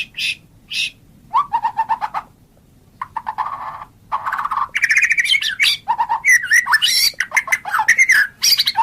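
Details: Varied song of a white-rumped shama (murai batu): two sharp high notes, then low chuckling rattles in short bursts, building into rich, fast warbled phrases with mixed whistles and chattering.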